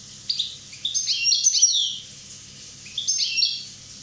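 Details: A one-year-old Corsican European goldfinch sings two bursts of tinkling, high twitters mixed with brief buzzy trills, the second burst shorter, with a quiet pause between them.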